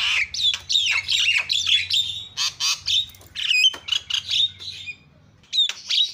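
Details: Javan myna calling as a lure to provoke other mynas into calling: loud, harsh chattering squawks mixed with short rising and falling whistles, bursts broken by brief pauses, with a faint low hum underneath.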